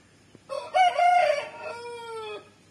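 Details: Crowing of a big-breed chicken: a loud harmonic crow lasting about two seconds, a rough rising opening, then a strong sustained middle and a long steady falling tail, over a quiet low hum.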